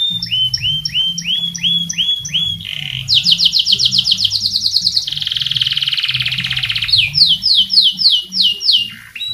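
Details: Vigorous canary song meant to tutor other birds. Repeated rising paired notes lead into a fast bright trill and a long buzzy roll, then loud looping whistles that fall toward the close.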